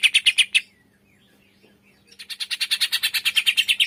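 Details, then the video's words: Cucak ijo tembakan, a green leafbird style used to trigger song in birds that are reluctant to sing. Four quick harsh notes, a pause with faint chirps, then a resumed rapid chatter of rasping notes. "tembakan cucak ijo males bunyi setelah dengar in 💯 auto emosi"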